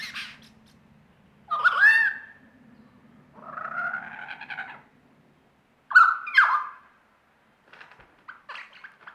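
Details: Lyrebird from Australia performing mimicry: widely spaced phrases, a looping whistled note, a soft burbling warble, a loud sharp double whistle, then faint scratchy chatter over a low hum.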